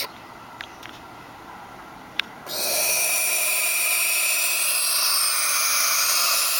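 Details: Young barn owls, described as ornery, give a long, harsh, breathy hiss that starts abruptly and holds steady, with a few soft clicks just before it.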